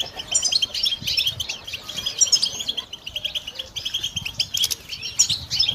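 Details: European goldfinch kept for listening and song training, singing rapid tinkling twittering phrases of high chirps and trills, with brief pauses and faint low background rumble.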